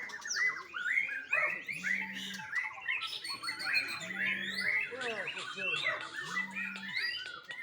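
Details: Young white-rumped shama from a Bali bird farm pouring out rapid looping whistled notes and chirps, while a low steady hum repeats three times in the background, roughly every two seconds.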